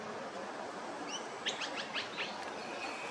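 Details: Plover adult with chicks at a mulch pile: a short burst of thin, high chirps, about six quick notes packed into just over a second, over a steady background hiss.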